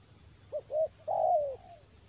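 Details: Spotted dove kept as a lure bird at Toba during the rainy season gives one coo phrase: two short soft notes, then a drawn-out downslurred coo, with a faint continuous high whine behind.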